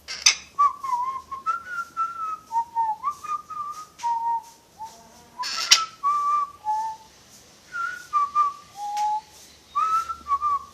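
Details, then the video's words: Pet parrot indoors whistling a tune, a bird said to wolf-whistle and whistle a film marching song: a run of clear, sliding whistled notes, some held, some stepping up and down, with short breaks and a few sharp clicks. "The Whistling Jungle Parrot"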